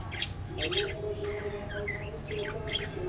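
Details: Aviary budgies make short squeaky chirps and a few whistled, rising-and-falling warble notes, coming in small bursts. A low background hum is also heard.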